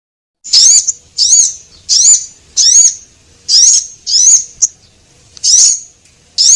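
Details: Javan munia lure call, male and female birds, used to attract small birds: thin, high chirps with a rising-then-falling bend, given in bursts about every 0.7 seconds with short clicks between them. No other sounds.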